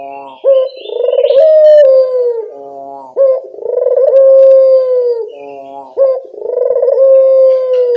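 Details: Local barbary dove lure sound, meant to make doves respond: loud, deep, rolling coos repeated about every three seconds, each opening with an upward jump and ending in a gently falling tone.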